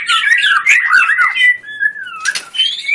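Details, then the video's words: Energetic competition-style song of a white-rumped shama, full of bursts: dense, rich warbling that runs into a long, smooth falling whistle, then a sharp harsh burst and a high, thin closing whistle. "Murai batu gacor full tembakan"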